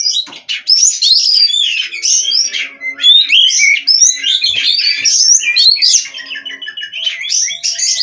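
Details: Captive-bred Oriental magpie-robin pouring out dense song: quick whistles, chips, trills and rasping notes in fast succession, with faint low tones and a few knocks in the background.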